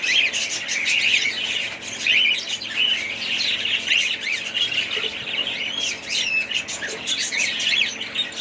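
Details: Budgerigars of a family flock keep up lively high-pitched chirping and warbling, with many short whistled notes repeated in quick succession over the dense chatter.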